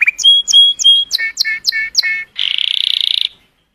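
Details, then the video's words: Colour canary song to stimulate females: three looping whistled notes, a run of rapid sharp downslurred chips, then a fast buzzing trill that fades out. "تغريد كناري رائع، لتحفيز الإناث"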